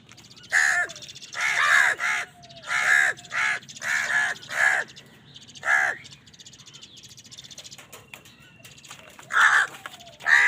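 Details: Crows fighting over food, giving loud harsh caws in bursts of one to three, with pauses between groups and faint chirping of small birds in the background.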